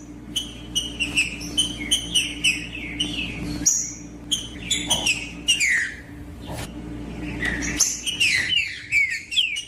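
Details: Green-winged saltator singing loud, clear whistled phrases that slur downward, delivered in quick bursts with short sharp notes between them. The recording is meant to stir up other saltators into song. A steady low hum runs underneath.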